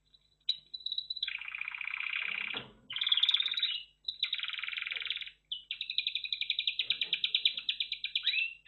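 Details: Red factor canary in continuous song: long buzzy rolling trills alternating with higher bright trills and a fast staccato series, phrases separated by brief gaps.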